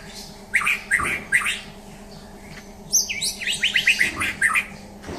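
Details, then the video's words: Champion white-rumped shama singing varied whistled phrases, short rising and falling notes and quick chirpy bursts, with a pause mid-way before a busier run of sweet whistles; a steady low electrical hum runs beneath. "Tes Mental Murai Batu Juara"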